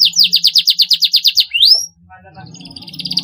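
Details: Canary singing 'gacor fighter' style, meant to prompt young canaries to sing: a rhythmic run of bright repeated chirps, then a rising whistled slur, a brief pause, and a softer buzzy trill returning.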